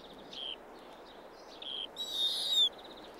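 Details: A Snowy Owl at its nest on the Arctic tundra gives a few short, thin, high whistled notes, then a harsher rasping squeal, over a faint steady hiss, in a lemming-scarce year with a small brood of chicks.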